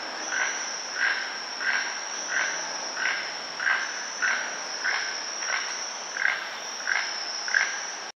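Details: Keel-billed toucan (Ramphastos sulfuratus) repeating dry, frog-like croaks, about three every two seconds, over a steady high insect drone.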